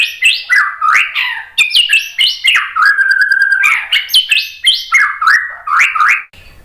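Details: Provoking song of a White-rumped shama meant to make other birds sing: a steady stream of loud, varied whistled phrases, with notes leaping up and down, interrupted midway by a held level whistle.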